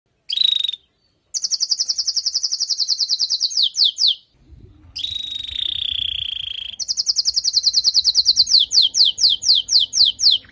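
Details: Female canary calling to prepare and stimulate the male after moulting: rapid high trills of repeated notes, a brief whistled note at the start, a pause, a long roll, then strings of sweeping downward slurred notes.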